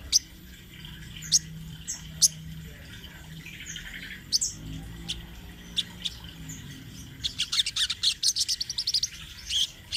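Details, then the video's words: Crimson sunbird, speckled form, in rolling song kept as a training master: scattered sharp high notes at first, then a fast run of clipped, very high chirps near the end over faint low hum. "Suara Burung Sogon Trotol Gacor Ngerol Buat Masteran sogon bahan"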